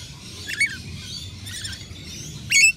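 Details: At a balcony nectar feeder, rainbow lorikeets give a brief shrill squeak, soft chatter, then a loud harsh screech closing the short recording.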